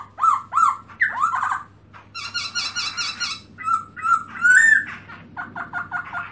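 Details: Black-throated laughingthrush singing, 2017, tail opened: quick arched whistles, then dense buzzy trills and bright rising-falling notes, closing with a rapid stutter of short repeated notes over a low hum.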